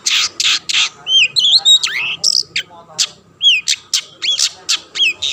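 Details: A Long-tailed shrike sings to provoke other shrikes: loud rasping squawks in a row, then twisting whistled phrases and falling slurs mixed with sharp harsh notes, a restless, varied delivery.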